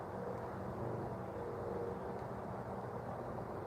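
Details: Continuous low engine drone with a faint steady hum, vehicle noise outdoors and no animal sounds.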